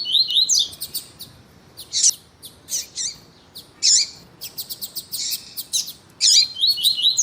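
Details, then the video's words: Tui tui song of a male double-collared seedeater with a female calling, intended to stimulate kept males. Repeated high, strident chirps and buzzy clusters, with short fast trills, in nearly continuous bursts. "ESQUENTAR COLEIRO TUÍ TUÍ COM COLEIRO TUÍ TUÍ E FÊMEA DE COLEIRO CHAMANDO PARA ESQUENTAR COLEIRO"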